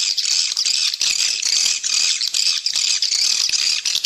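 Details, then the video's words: Swiftlet lure call, played to attract swiftlets and increase the population: a dense, continuous wall of high, buzzy chittering twitters with quick pulsing surges and no pauses, and no other sounds. "Suara Panggil Burung Walet"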